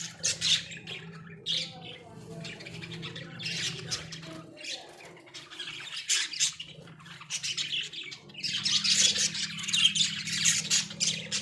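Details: Australian budgies in a small cage give repeated bursts of fast, raspy high chatter, several per second, broken by quieter stretches, with a steady low hum in the room.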